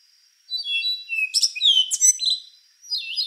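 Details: Rufous-brown solitaire singing a long, intricate phrase of high fluty whistles and sharp metallic flourishes, then a softer closing phrase after a brief pause.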